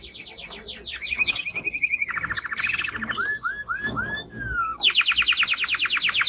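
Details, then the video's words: Singing male Timbrado canary delivers rapid pulsed trills, a flat sustained rattle, then a lower rolling tour and a few separate arched whistles, before bursting into a loud, fast chattering trill. "Canary singing Strong Bird - ذكر كناري تغريد نار"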